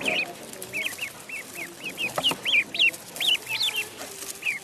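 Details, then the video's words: Duckling on a pond peeping insistently: high, bent whistles repeated at a fast, irregular pace, several louder notes toward the middle, light clicks in the background. "Duck Sound duckling in the pond -duck quack"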